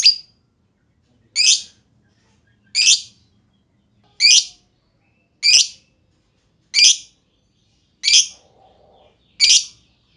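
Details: Lovebird ticking calls, the ngetik style, used to prompt other lovebirds to sing: eight sharp, harsh single chirps, evenly spaced about every 1.3 seconds, with silence between them.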